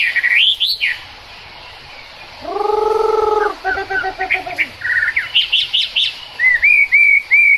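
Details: Chinese hwamei in song during rain, mixing high looping whistles with a long, low, rich drawn-out note, a stuttering series of short notes, and clear repeated whistled phrases at the close.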